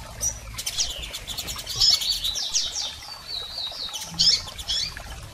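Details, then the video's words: Double-collared seedeaters, females and males, calling to stimulate a male: high sliding whistled notes and chirps strung together, with occasional sharper accents. "PIADOS de Coleiros Fêmeas e Machos Para Foguear Seu Coleiro!!!"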